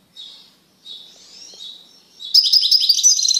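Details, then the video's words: Male European goldfinch in a cage, singing strongly after being separated from a female canary he had mated with. Soft thin twittering notes lead into a loud, dense burst of rapid high tinkling and buzzy twitters. "تغريد قوي لذكر طائر الحسون بعد عزله عن أنثي الكناري"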